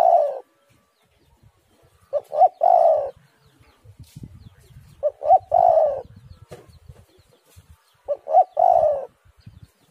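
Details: Spotted dove cooing, meant as a lure to make doves call. Clear phrases come about three seconds apart: two short clipped hoots, then a longer, deeper rolling coo, over near silence with faint tapping.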